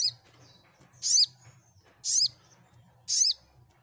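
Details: Sunbird, locally called sogok ontong, played to set silent birds singing back; three loud, piercing, down-slurred chirps about one second apart, with faint low humming in the background.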